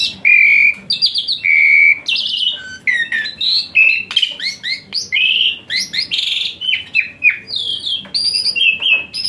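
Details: Asian pied starling, rich varied song meant to train a starling that sings little: a dense, nonstop medley of clear whistles, harsh buzzy bursts and quick rising slurs.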